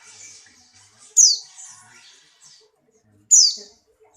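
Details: Buxtoni white-eye in strong breeding condition, jumping: two loud, high chirps that drop quickly in pitch, about two seconds apart, with faint twittering between.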